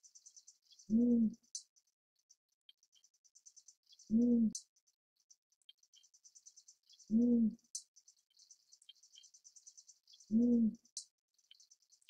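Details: Tawny fish owl (Ketupa flavipes) giving deep, short hoots with a low humming tone. Four evenly spaced hoots about three seconds apart, over a steady background of high-pitched insect chirping.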